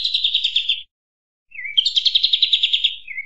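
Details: Kampas tembak bird singing steadily, recorded as master song for other birds and luring: a fast pulsed trill, a brief silence, a low slurred note, then another long quavering trill ending in a falling whistle.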